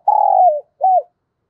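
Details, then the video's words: Decoy spotted dove luring wild birds. A long, slightly wavering low coo slides downward, then a short arched note follows after a brief pause. "Chim Cu Mồi _ cu gay kich boi nhanh noi gù"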